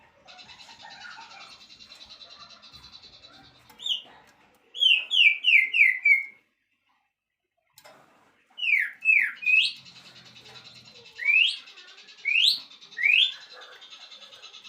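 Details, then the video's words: White-rumped shama (murai batu) isian song: clear whistled notes sweeping steeply downward, in a fast run of five, then spaced pairs and singles, over a steady high buzzing drone with a brief silent gap. "relaxing Bird sounds isian murai batu"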